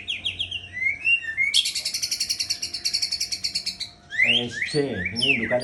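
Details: Breeding-stock white-rumped shama giving quick whistled slurs, then a long rapid buzzy rattle of over two seconds, followed by rising whistles mixed with lower harsh, chattering notes toward the end.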